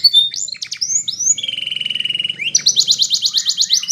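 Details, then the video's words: Belgian canary tutor song for young birds, with quick high whistles and chips, a steady buzzy roll, then a loud evenly pulsed trill repeated many times a second. "Belgian Canary Training for Early Childhood Canaries so that they sing diligently"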